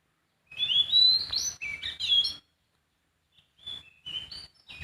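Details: A sooty-headed bulbul sings in the wild. A loud run of bubbling whistled notes is followed by a pause, then softer, shorter whistles that rise and dip.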